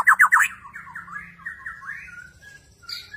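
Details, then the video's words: Borneo white-rumped shama, an energetic bird that bows while it sings. It opens with three loud, sharp, rapid notes, then drifts into a softer, lower, warbling and whistled phrase that trails off. "Burung Murai Borneo beraksi gaya mempesona"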